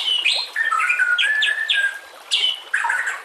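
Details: White-rumped shama singing on a training master track with nature sounds and trickling water: harsh squawky notes alternating with flat whistled phrases near the middle.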